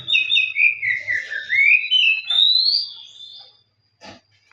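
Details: Oriental magpie-robin singing as it seeks a rival: a long continuous warbled phrase sliding down then climbing in pitch, ending in a high whistle, followed by silence and one short harsh note.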